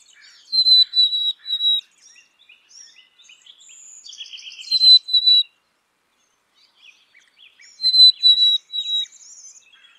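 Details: Black-capped chickadee repeating high, clear whistled phrases of two or three level notes about every three to four seconds, with a buzzy rattling chatter in the middle and soft chips throughout.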